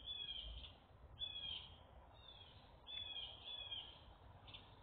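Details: Birds chirping in a relaxation recording: short high chirp bursts in quick clusters, repeated about every one to two seconds, over a low background hum.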